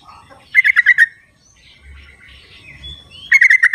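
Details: Sooty-headed bulbul calling in the wild as a lure for birds that will not sing. Two rapid rippling bursts of about six notes frame soft slurred whistles and faint low rumbling.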